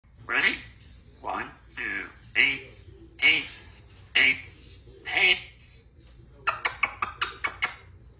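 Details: Two-year-old female Congo African grey parrot, kept at a country home, talking after her morning shower while learning to count to ten; clear word-like syllables spaced about a second apart, then a rapid run of short clicky notes.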